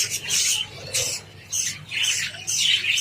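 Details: Java sparrows eating wheat, captive birds: bursts of high, harsh chattering calls roughly every half second to a second, broadband and squawky, with short quiet gaps between bursts.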